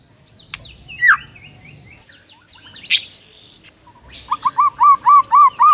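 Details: White-rumped shama song used to stir a silent bird: sharp isolated calls and whistles, then a steady series of about seven looping whistled notes.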